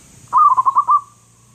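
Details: Loud local zebra dove singing a single phrase: a burst of about six rapid, pulsing, mellow cooing notes that runs into a short held tail, against quiet hum.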